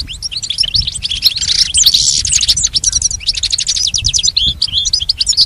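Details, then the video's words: Advanced song-training recording for a pet goldfinch: an unbroken, dense flow of rapid high chirps, buzzy rattles and trilled notes, fast and tinkling throughout. "Teaching the goldfinch the art of song-advanced lessons in best chirps"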